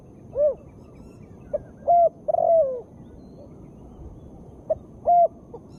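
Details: Female spotted dove calling, used to prompt lazy birds to start singing: two repeated coo phrases of short notes, a rising-falling hoot, a brief pulse and a long trilled, descending coo, steady background hiss.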